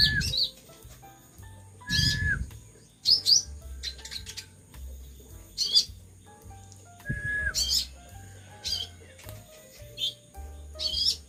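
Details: Pet sunbird kept by its owner, in moulting condition and full metallic plumage, singing vigorously: sharp, very high chirps and short twittering bursts come every second or so, with one lower whistled note, over steady low background music.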